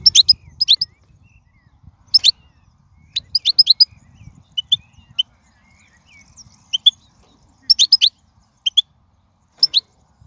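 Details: European goldfinch in the wild, song meant to teach young birds to sing: bright twittering phrases and single sharp chirps scattered across the stretch, with a soft low murmur beneath.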